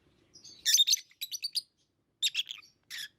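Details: Tame lovebirds giving a rapid cluster of scratchy, buzzy chirps followed by a short series of clipped notes and two more harsh bursts.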